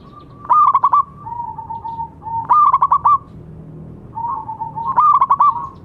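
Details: Active local zebra dove cooing to coax doves that have stopped singing: three phrases of rapid clipped, knocking coos, each trailing into a level sustained note, repeating roughly every two and a half seconds.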